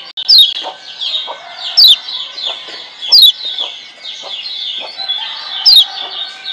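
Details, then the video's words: Wild-caught lemon-bellied white-eye from Lombok sings a master song meant to stimulate quiet birds to sing: sweet, high, downward-slurred phrases, each opened by a sharp descending whistle, recurring about every one and a half seconds. "Masteran Kecial Kuning GEBOKAN LIAR Ampuh Bikin Kecial Malas Bunyi Jadi GACOR"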